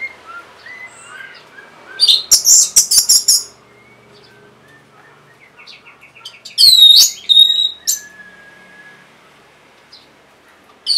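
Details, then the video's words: Caged-bird lure song of an orange-headed thrush. Soft thin whistles, then a loud burst of rapid warbling. A quiet stretch of faint notes follows, then a second loud burst of ringing slurred phrases. "C0COK Untuk Pancingan Burung ANIS MERAH Bahan Macet Ataupun Malas Bunyi"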